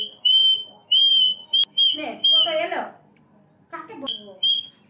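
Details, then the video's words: Cockatoo, dancing and singing to express joy, gives clear, steady whistled notes about one a second, with a burst of harsh, voice-like chatter in the middle, possibly a person talking. "kakatua(cockatoo) bird stunning dancing and singing. kakatua pakhi jebhabe anondo prokash kore"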